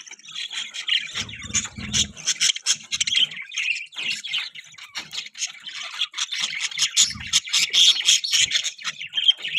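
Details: Newborn budgie chicks chirping: dense, continuous high scratchy squeaks and peeps in rapid overlapping bursts, several calling at once, with a few low thumps.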